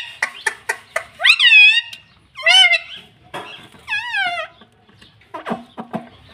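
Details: Pet parrot talking: quick clicks, then three separate bending, nasal voiced words, then more short clicks and taps.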